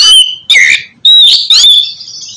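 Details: Kacer or oriental magpie-robin singing to stimulate a quiet bird: a few long, clear whistled notes, some sliding and rising, separated by short silences.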